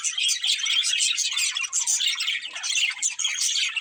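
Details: Two budgerigars of a breeding pair chirping: an unbroken, rapid high twittering and buzzy warble, loud and even across the few seconds heard.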